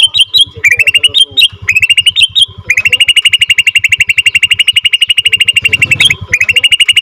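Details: Captive-bred second-generation Bornean white-rumped shama singing a long rolling trill (ngerol), used as a lure to excite other shamas: fast buzzy trills broken by short whistled notes, then one sustained rapid roll, over steady low thumping pulses.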